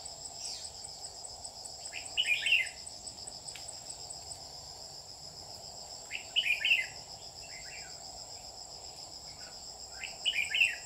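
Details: Lure red-whiskered bulbul at a trap, 27/7/2019, repeats short, lively whistled phrases roughly every four seconds, three bursts in all, against a constant high-pitched cricket-like hum.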